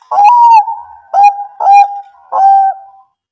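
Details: Bangkok-type zebra dove song, used as a lure to prompt reluctant birds to sing: four cooing notes, each a sharp burst easing into a steady, pure mid-pitched tone, the first longest and slightly rising, on near-silent background.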